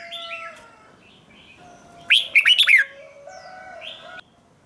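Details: Red-whiskered bulbul singing in the morning during training, a chè style meant to excite wild-caught birds. One quick run of four or five sharp, warbling notes stands out over faint distant birdsong and soft whistles.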